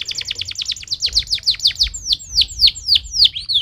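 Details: Canary giving a fast repeated series of steeply falling whistles, roughly five per second at first and then slowing, delivered as stimulating song over a soft low rumble.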